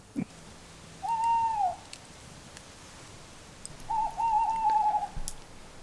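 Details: At night in a wooded garden near Bridport, Dorset, an owl that sounds close, likely in nearby trees, gives two mellow hoots: a long, slightly arched note, then a longer, faintly wavering one, with a faint click; owl.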